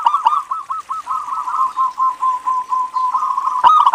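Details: Local zebra dove used to lure other doves into song delivers a long chain of low, pulsing coos at a quick, even pace, closing with a sharp, louder note.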